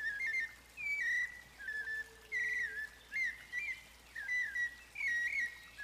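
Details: White-necked thrush (sabiá-coleira) singing live in Arapongas, Paraná, Brazil, in the fluted 'flauteado' song style: short clear whistled phrases, each slurred up and down with a bright overtone, repeated about once a second with brief pauses between.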